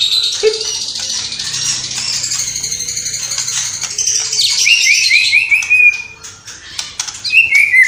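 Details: White-rumped shama, Cililin, singing with mimicked sparrow, fighting lovebird and kapas tembak calls: a dense shrill jangling chatter, then a quick series of rising whistled notes, a short lull and another bright whistle.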